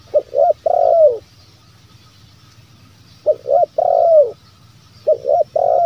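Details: Spotted dove coos in the bero kuk, one lambung kuk pattern, used to lure wild doves. Two short soft notes lead into a long, hollow, downward-curving coo. The phrase repeats three times against faint background hiss.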